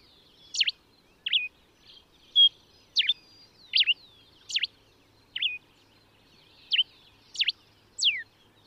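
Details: Common diuca finch (Diuca diuca) singing in Chile: a series of short, sharp whistled notes with steep up-and-down sweeps, roughly one every second, some paired, ending on a long falling slur; quiet background.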